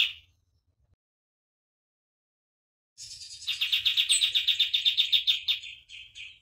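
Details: Common iora singing as a master recording for training caged birds: one short chirp, a silent pause of about two seconds, then a quick, steady trill of bright, repeated notes that fades at the end.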